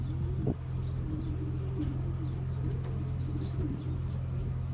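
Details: Racing pigeons from a champion long-distance line give low, rolling coos in a continuous run, with a brief flutter near the start and a steady background hum.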